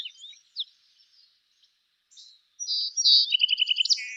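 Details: Song Sparrow in Montana, a species often singing from high in a willow near water: bright, shrill introductory notes, then a quick trill of clipped, evenly spaced notes and an irregular series ending in a buzzy burst, preceded by faint high chips.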